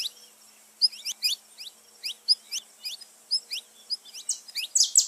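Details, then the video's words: Saffron finch song played to stimulate pet birds: high, thin downward-swept chirps spaced irregularly, with a few louder buzzy notes near the end; a faint low hum underneath. "canto de canário da terra pra foguea seu passarinho"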